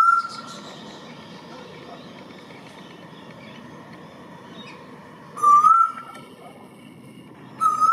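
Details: A male Eastern Koel (Eudynamys orientalis, storm bird) in NSW, Australia, gives loud, rising whistled notes, three bursts a couple of seconds apart, over a faint wash of other birds and background hum.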